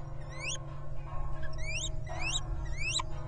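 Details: Wild little owl pair at their nest in the 2023 breeding season, eggs laid February–March, giving four thin, squeaky upslurred calls, one roughly every second, over a steady low hum.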